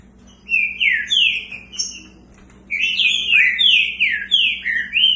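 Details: Two caged Green-winged saltators, one in a large cage, matched against each other: rich whistled phrases around mid-high pitch, slurred notes sweeping down and up in quick bursts, with thin higher notes above, after a short pause.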